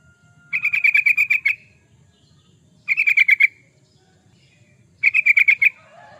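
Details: Yellow-vented bulbul in vigorous song for luring or tutoring birds: three long phrases of eight to ten fast, even chattering notes, each lasting about a second, with quiet gaps between.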